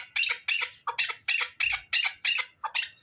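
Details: Hybrid fighting chukar partridge giving eight loud, harsh, high-pitched notes, each sharply attacked and fading, about three a second.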